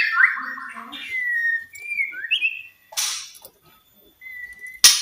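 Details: White-rumped shama, played to encourage silent shamas to sing: sparse, softer whistled notes with gaps of silence between them, then a sharp noisy burst at the close.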